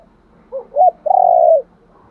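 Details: Luring call of a spotted dove, low and mellow: two quick rising notes lead into a single drawn-out, loud coo lasting about half a second.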